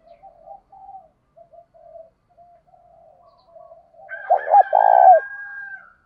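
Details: Spotted dove calling to excite newly caught birds in training; soft scattered low coos first, then one loud phrase near the end: a clipped double note and a long rough coo.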